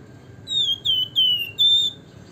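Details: Javan fulvetta (Alcippe pyrrhoptera), called wergan jawa or flamboyan, giving its nyiul whistles: four clear, high, slightly descending whistled notes in quick succession over a faint low hum.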